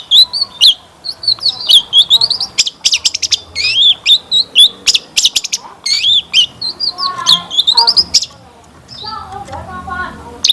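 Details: Long-tailed shrike in a lure song rich in imitated fill phrases: a long rapid stream of sharp chirps and warbling high notes, ending in softer lower chatter after a pause.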